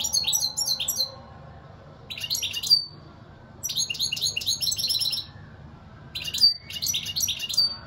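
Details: Goldfinch song: four bright, tinkling phrases of fast chattering notes, each lasting about a second, with clear ringing whistles mixed in and brief quiet gaps between, a faint hum underneath.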